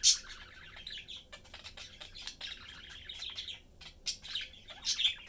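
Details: Caged budgerigar family, father, mother and one young bird, chatting while eating; continuous warbling, buzzy chatter with loud sharp chirps at the start and near the end.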